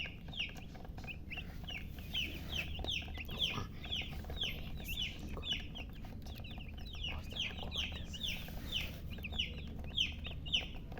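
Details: Chicks cheeping steadily, a dense run of clear downslurred peeps repeated several times a second, with faint low hum beneath.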